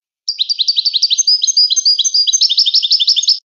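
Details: Moroccan goldfinch delivering an unbroken run of about three seconds of fast, high, liquid twittering. Brief slurred whistles mix with clipped chirps, and the phrase grows louder and denser toward the end.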